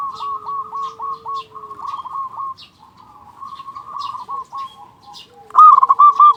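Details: Several zebra doves cooing in overlapping runs of quick repeated notes, ending in one loud stuttered phrase from the local, big-voiced bird used as a lure to make other doves sing.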